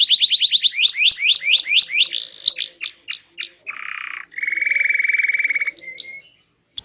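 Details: Canary with a small body and strong, varied voice: fast repeated whistled notes rising into swooping sweeps, a buzzy low roll, then a steady sustained trill and a short closing phrase.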